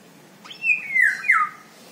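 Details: Indian golden oriole, locally called haldi basanta bird, giving a clear fluty whistle that slides down in two smooth phrases over about one second. Faint background hiss.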